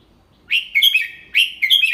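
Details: Red-whiskered bulbul singing the double-three (เบิ้ล3) song clearly as a model for young birds. Two quick, loud warbled phrases follow close together, each made of bright whistled notes that slide downward.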